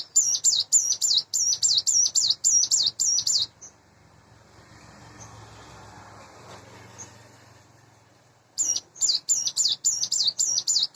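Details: Hand-reared Sunda bush warbler kept in a cage, around eight months old, morning song: quick repeated high looping notes for three seconds, a long hushed gap with faint background noise, then the same rapid series returns.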